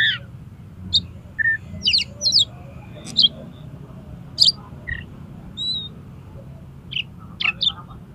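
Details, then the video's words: Oriental magpie-robin in konslet song style, used to prompt another magpie-robin to spread its tail: sparse, fairly soft high chips and brief whistled notes at irregular gaps, with a faint low background rumble. "BIKIN KACER MAU BUKA EKOR PAKAI SUARA KACER KONSLET INI"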